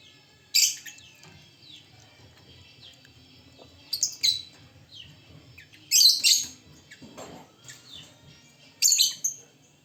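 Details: Lovebirds, all said to be singing actively, give short bursts of bright, high chirps and twitters roughly every two to three seconds, with soft chatter between the bursts over a faint low hum.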